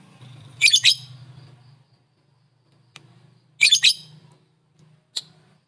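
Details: Lovebird calling to provoke other lovebirds: two loud bursts of harsh, high chattering chirps about three seconds apart, then a short single chirp, over a faint low hum.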